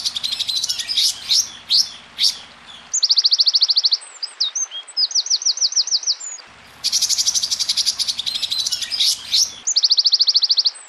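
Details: A tutoring compilation of small songbird bursts: high, harsh, scratchy phrases mixed with fast rattling trills, repeated in bursts, over a low steady background hum.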